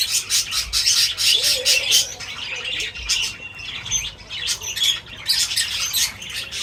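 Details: Birds feeding together, recorded as entertainment for cats: a dense, continuous stream of harsh high squawks and chirps, several callers overlapping, with bursts roughly twice a second and faint low rustling.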